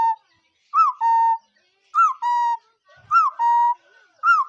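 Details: A bird calls in a repeated pattern, roughly once a second: a short rising, upslurred whistle followed by a longer level whistled note. Both are loud and clear with ringing overtones, and there is little background noise.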